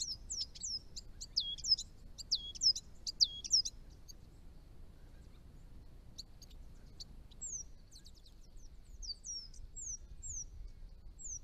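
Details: Chestnut-rumped Thornbill, a small bird at the edge of its range in northern Victoria, Australia, visiting garden ponds: bursts of very high, thin, looping whistled notes in quick runs, then scattered downslurred high chips, over faint low background rumble.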